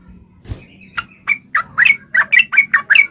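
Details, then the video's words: Yellow-vented bulbul fighting song, ngalas uplik ropel style, meant to make other birds answer. Spaced notes quicken into a series of bubbly, rising chirps over a steady low hum. "trucukan gacor TARUNG NGALAS UPLIK ROPEL"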